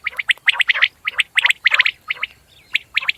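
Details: Common quail call, a run of crisp clipped notes given in quick pairs and triplets, the groups repeated about every half second with short pauses and faint background hiss.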